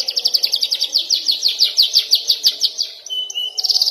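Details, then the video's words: Young canary (kenari paud) practising long rolls and sharp bursts: a steady rapid train of bright repeated sweeps, a short level whistle, then the trill resumes. "KENARI paud belajar ngeroll dan nembak"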